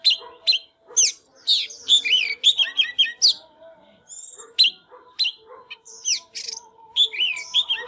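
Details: Oriental magpie-robin in full song while dancing: a fast, varied stream of sharp chips, rich warbled whistles and buzzy notes, loud and nearly continuous, with a faint low hum underneath.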